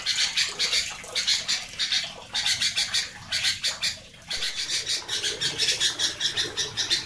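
A sooty-headed bulbul gives a loud, scratchy, high-pitched chatter in rapid repeated bursts, several per second, with a short break midway.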